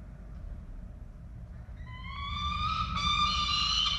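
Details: Peregrine falcon at a nest camera in Orange, Australia, 11 November 2023, as an adult brings a pigeon to the chicks: a drawn-out, rising, harmonic whining call starts midway and grows louder over steady low background rumble.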